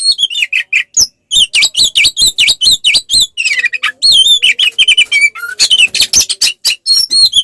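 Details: Oriental magpie-robin, a kept songbird, giving fighting song meant to provoke rival males: rapid runs of clear whistled up-and-down slurs repeated many times, interspersed with sharp chips and a low flat whistled note near the middle.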